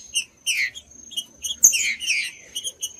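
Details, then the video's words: Green-winged saltator singing to stimulate other saltators: short bursts of slurred whistled notes separated by brief pauses, with sharp high chirps over a constant faint high-pitched tone. "TRINCA FERRO CANTANDO"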